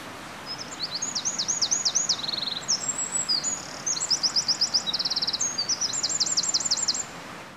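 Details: Bold Eurasian wren singing lively in the early morning, unbothered by a nearby person; a loud, rapid, high-pitched run of trills, repeated notes and ringing rattles, several bursts over about seven seconds, with faint background hiss.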